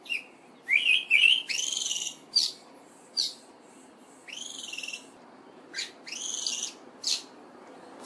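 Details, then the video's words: An olive thrush runs through its vocal repertoire: a melodious song of clear, high whistled phrases, then the song with trills added, then short flight and alarm calls, delivered unevenly with brief pauses. "Olive Thrush vocalisations"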